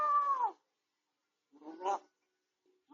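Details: Grey parrot recovering at home from a beak injury, heard on a home cam: a drawn-out falling meow-like tone, then after a pause a rising, squeezed syllable, indoors with no background noise.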